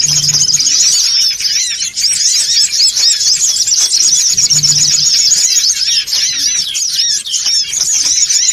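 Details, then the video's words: Songon otong birds calling in a noisy flock, played to attract birds: a thick wall of squeaky, high chirps repeats rapidly throughout, with two short low hums in the background. "SUARA PIKAT SONGON OTONG (RIBUT)"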